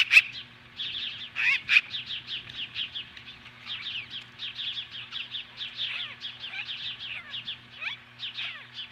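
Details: Osprey on the nest near Lolo, Montana, confronting magpies on July 15, 2015: long unbroken chatter of high, downslurred whistles, opened by a few loud harsh strokes.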